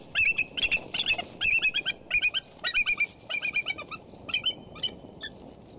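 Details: Decorah eagle cam, January 30, 2012, 12:27pm CST: the female bald eagle initiates pair bonding, wings open and foot on her mate's back, giving a rapid string of high, squeaky chittering notes in loose bursts against light wind noise.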